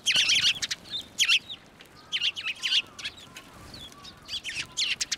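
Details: Sparrows flying onto a hand to be fed at a Tenmangu shrine on 11 March 2024: bright, sharp chirps in short bursts, some doubled, with quieter faint chirps between them.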